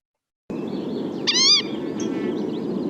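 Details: Green-tailed Towhee call, as heard in its winter range: a single catlike mew, a short nasal note that rises and falls, over a steady low hiss.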